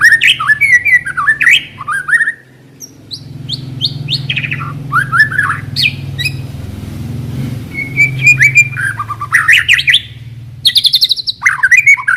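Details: White-rumped shama lure song used to start a caged shama singing: varied warbled and whistled phrases with sliding notes and chattering bursts, over steady low engine-like hum.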